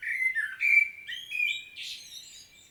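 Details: Common blackbird singing in Świnoujście, Poland, on 25 September 2022: a continuous string of rich fluted notes stepping upward, finishing with a rough high squeak and fading.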